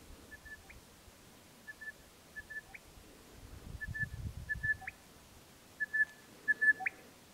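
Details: A male Crested Bellbird gives quiet, even, bell-like notes in small groups, each group ending in a sharp upslurred note, showing two different calls; a brief low rumble, likely wind, comes midway.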